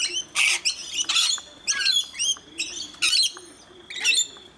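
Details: Rainbow lorikeets being fed at Mt Gravatt, Brisbane, Australia, with one scaly-breasted lorikeet present, utter loud, buzzy screeches in regular bursts roughly every half second to second, each harsh and clipped.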